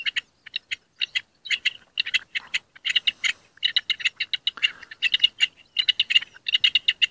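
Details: Rock partridge in courtship singing in hunting district C.A.CN5, a dry, rattling series of clipped notes delivered in rhythmic groups of three to five, with brief gaps and a faint rustle midway.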